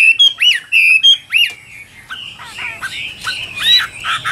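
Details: A caged Tam Hoàng Chinese hwamei sings clear, loud slurred whistles, several rising-then-dropping notes in quick succession, followed by softer, rougher phrases.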